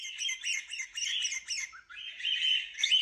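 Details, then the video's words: Cockatiel calls: a quick run of six short, raspy chirps at a steady beat, then a longer, slightly rising screechy note and a sharp squawk at the end. "Cocktiels video and sound"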